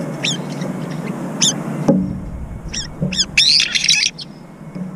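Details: Several brown-eared bulbuls squabbling in aerial fights over a feeding bowl while eating. Sharp, harsh notes with stacked overtones come in short bursts, some rising and some falling, with a denser scratchy cluster near the end over low background rumble.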